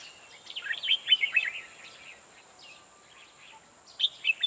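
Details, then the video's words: Red-whiskered bulbul, a 'ché' style singer used to trap wild birds: a brief run of bright, slurred, warbling notes, a pause, then a few more sharp phrases over a constant thin high whine. "Bẫy chào màoché như con hâm"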